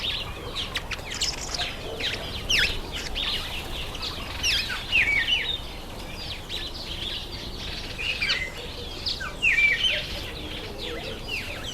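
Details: Many masked weavers calling in their September–October breeding season: dense, unbroken chatter of thin, fast-falling chirps and short buzzy trills, with faint background noise.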